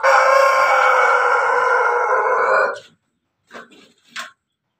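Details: Ayam Ketawa cross rooster, a laughing chicken crossed with Pelung and Bangkok breeds, gives one long, loud, sustained crow. The crow lasts about three seconds, then ends, and two short soft clucks follow.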